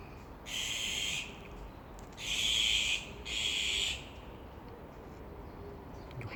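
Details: Parent Azure-winged Magpies hovering above a barely fledged young bird, out of the nest after about a month and not yet flying well, trying to protect it; three rasping, drawn-out calls, the last two close together, then quiet.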